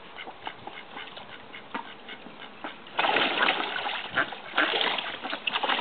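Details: Call ducks (bantam mallards) in Australia, flirting and mating; short nasal quacks at first, then loud splashing and churning water from about halfway, with quacks still breaking through.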